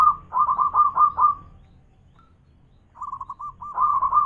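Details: Local zebra dove singing its loud manggung song: bursts of rolling, trilled cooing notes around one pitch, a pause, then a run of short hooked coos building back into rapid rolling phrases.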